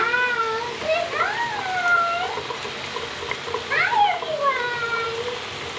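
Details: Female scarlet macaw screaming happily during a shower bath at home, giving rising and falling nasal harmonic calls in quick succession against constant splashing water noise.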